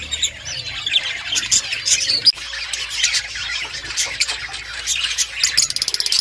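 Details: Budgerigars warble and chatter in a thick overlapping stream of scratchy, squeaky notes, ending in a quick rattling run of rapid clicks.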